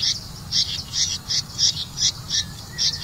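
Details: Red-vented bulbul feeding crickets to its chick: bright high chirps repeated about every half second, with soft lower notes between them.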